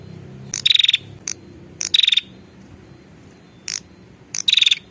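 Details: Female prinia calling to the male, used as a lure: three brief rattling buzz bursts with fast pulses, separated by single clicks, above a low murmuring hum.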